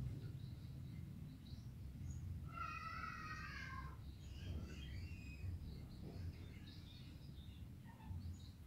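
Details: An olive-headed lorikeet feeds and utters a loud, grating screech rich in overtones, lasting about a second and a half. Softer chattering notes come afterwards over a deep, steady background rumble.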